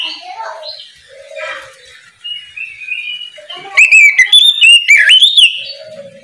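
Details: In the morning, an oriental magpie-robin sings ngeplong style to stir other magpie-robins to sing. Faint mixed chatter and a distant crowing-like sound come first, then a loud two-second burst of ringing whistles and chips.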